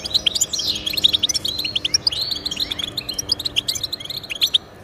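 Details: Goldfinch song aimed at encouraging pet goldfinches to sing: a downward-sweeping buzzy note, then quick high chirps and twitters repeated in an energetic stream.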